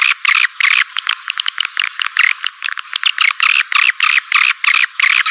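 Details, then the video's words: Walet Naga swiftlet lure call for drawing swiftlets in: bursts of buzzy high chattering, about three per second and unevenly spaced, separated by short quieter gaps. "Suara Panggil Terbaik Walet Naga"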